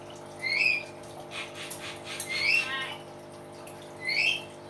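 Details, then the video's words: Common hill myna giving loud calls: three bright, rising whistled notes about every two seconds, with splashing water-like noise between them and a steady low hum. "BEO GACOR SUARA ALAM"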